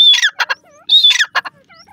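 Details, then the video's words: Harsh, grating notes of a Grey francolin (irani gora teetar), delivered in two short bursts each opening with a whistled tone, with a pause between; faint thin whistles of another bird are heard in the gaps. "irani gora teetar ka boli, teter awaz, teetar, partridge bird voice"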